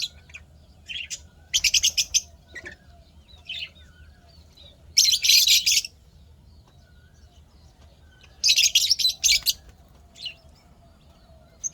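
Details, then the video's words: Happy lovebirds chirping, recorded 12 May 2025; dense rattling bursts of rapid, shrill chirps about a second long alternate with single sharp notes and short silent spells, the calling loud and busy throughout. "lovebirds chirping sounds happy"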